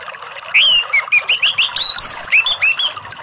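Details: Relaxed 'ngeplong' song of an orange-headed thrush, used to coax silent or stressed birds into singing: a fast run of loud, clear whistled notes, upslurs and sweeping loops, some very high, delivered continuously with faint hiss behind.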